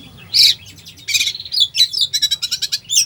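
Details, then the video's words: Oriental magpie-robin singing a 'full isian' song packed with mimicked phrases, played to rouse a sluggish bird: loud high squeaky bursts, a buzzy note, then a quick run of rapid sharp chips. "Kacer full isian , cocok buat pancingan emosi Kacer lemot"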